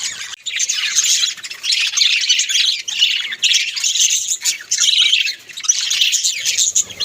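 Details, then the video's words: Budgerigars in a home give continuous warbling chatter, grating chirps and squeaks pulsing in short bursts roughly every half second, several birds overlapping. "Beautiful Bagies sounds video"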